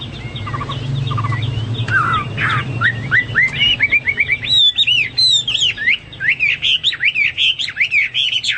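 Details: Hwamei song, a varied run of loud whistled slurs and warbled phrases rising and falling, starting hesitantly then becoming rapid and continuous, with a low hum underneath.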